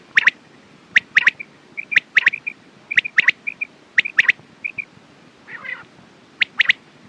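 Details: Quail giving crisp, clipped three-note phrases about once a second, each a lone note then a rapid pair, with short soft whistled notes between and a brief hoarse burst near the end.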